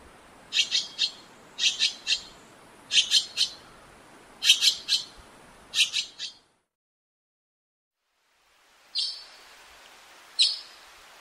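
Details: Harsh rasping calls of an azure-winged magpie, given in tight pairs and triplets about every second and a half, then a silent gap and two fainter single calls.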